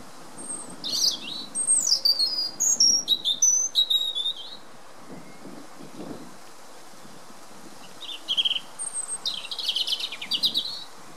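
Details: European robin singing in spring on 20 March 2019 in fine weather with a little wind: two bursts of high, thin, varied warbling phrases with quick trills and sliding whistles, separated by a pause of about three seconds, over a soft low wind rumble.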